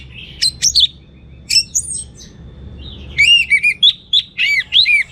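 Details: Orange-headed thrush in gacor teler song, abundant material: a few sharp high notes and twitters, a quiet pause, then a lively run of looping whistled phrases repeated quickly to the end.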